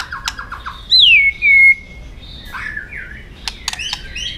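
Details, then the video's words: White-rumped shama fighting song for training. A few quick descending notes, then a loud clear whistle sliding down and holding steady, followed by softer warbles and scattered clicks. "chòe lửa hót đấu,tạch đập đuôi căng lửa.kích lửa hót đấu.luyện chòe lửa hót căng kích bổi"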